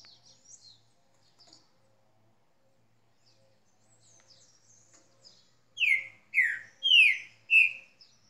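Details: Spirited green-winged saltator: scattered faint high notes, then a strong burst of four loud whistles, each dropping in pitch, delivered about half a second apart near the end.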